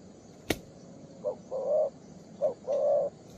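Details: Young spotted dove, described as a 'two-strand' pearl-neck bird with a full song, calling from its perch: two phrases, each a short low note followed by a longer, steady hollow coo. A sharp click comes first.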